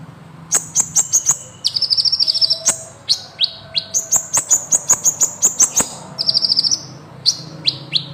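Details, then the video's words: Kolibri ninja singing a long rolling song, used as training audio for songbirds: very high sharp ticks and clicks interleaved with fast buzzy trills and quick downslurred notes, nearly continuous with a faint low hum beneath. "masteran Burung KOLIBRI NINJA Gacor Ngeroll panjang"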